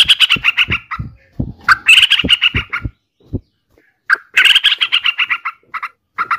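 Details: Yellow-vented bulbul giving harsh, scratchy chattering bursts in rapid series, broken by pauses. Low dull knocks sound under the first half.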